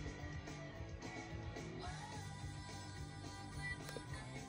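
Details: Rock-style music with guitar and steady low bass plays throughout, with no animal voice audible. No bird calls or other creature sounds stand out above the music.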